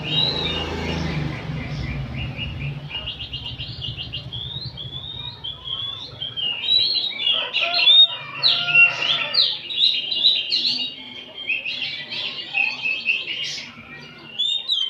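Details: Many oriental magpie-robins sing together in an afternoon ombyokan chorus, used as training material to make a kacer spread its tail. Dense, overlapping high whistles and chattering phrases, over a low rumbling hum during the first three seconds.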